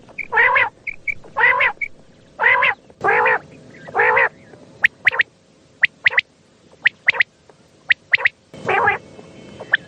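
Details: Common quail at night, recorded for luring quail during hunting: after several loud nasal harmonic calls, a repeated crisp three-note pattern of one short note followed by a quick pair, about once a second.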